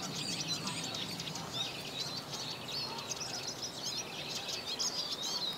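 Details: Eurasian siskin flock in March or April 2010, birds feeding on sunflower seeds on the ground, a male singing from a perch; dense high twittering and thin whistled notes run continuously, with several birds chattering together against steady background noise.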